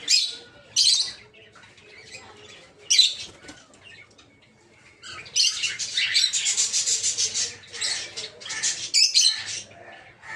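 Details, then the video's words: Several peach-faced lovebirds in a breeding aviary give a few isolated shrill screeches, then burst into dense, continuous harsh chattering for several seconds before it thins out again. "Peach-Faced Lovebird's Sounds"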